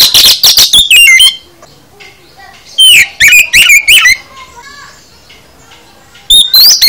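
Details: Full song of an oriental magpie-robin used to coax caged birds into singing: dense buzzy whistles and chatter at first, then rising sweeping whistles after a pause, with a faint background voice.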